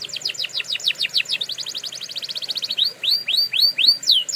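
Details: Canary singing, used for training canaries: a run of rapid downward-sliding notes speeds into a tighter trill, then gives way to slower, looping rising-and-falling whistles.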